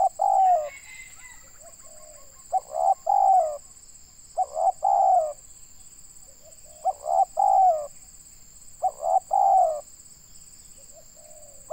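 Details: Indonesian local spotted dove heard during bird luring, cooing in about five phrases of a short lead note and two falling, husky coos, with soft low murmurs between and a continuous high-pitched whine.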